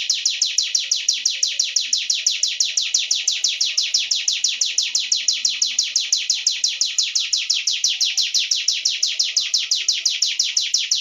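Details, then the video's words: Long unbroken trill from a Sunda warbler: high, dry, downward-slurred notes repeated rapidly and very evenly for eleven seconds, with barely any background noise. "cingun gacor bremm"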